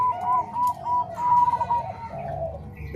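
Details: Zebra dove of the Bangkok and Cemani Kolbuntet voice blend, used for training doves: a few quick, clipped coo notes followed by a longer, steadier mid-pitched trill, then softer lower cooing.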